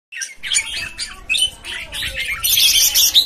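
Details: Red-whiskered bulbuls (jambul), newly arrived birds, recorded 13 June 2019: overlapping bright chirps and warbled phrases crowd together, growing denser and louder toward the end.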